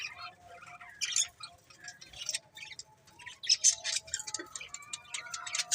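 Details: Budgerigars twitter softly with thin, high chirps and scattered squeaks, quieter than the rest, with a faint steady tone in the background.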